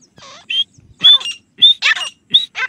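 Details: Pet grey francolin calling in an attempt to lure wild francolins from the fields. Harsh, grating notes, each with a short high whistle, come in four bursts about every half second.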